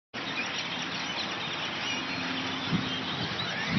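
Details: A huge flock of black grackles swarming a Sam's Club in Round Rock, Texas, makes a dense, constant wash of harsh, squeaky chatter, with low traffic hum underneath.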